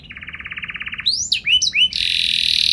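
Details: Canary begins with an even pulsed trill, switches to rising swooped whistles and a couple of sharp dipping notes, then ends on a harsh, fast buzzing rattle.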